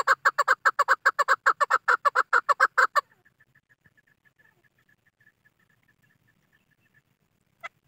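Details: Hunting decoy call of a chukar partridge, a rapid string of harsh, rhythmic chucking notes for about three seconds, then breaking off into near silence with faint ticks and a single click.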